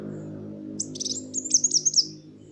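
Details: Van Hasselt's sunbird song used as a lure to stimulate birds that have stopped singing and to tutor other songbirds: a quick run of very high, thin chirps and twitters that grows louder over about a second, over a low steady hum.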